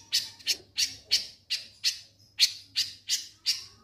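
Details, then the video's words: Konin lovebird ngek-ngek singing, intended to set off other birds: loud, harsh, scratchy chirps repeated steadily at nearly three per second for the whole stretch. "Konin Ngek Ngek Ampuh Pancing Bunyi"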